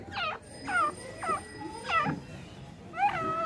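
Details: Tamed female francolin giving a series of looping, nasal notes about every half second, with a steady high electronic whine in the background.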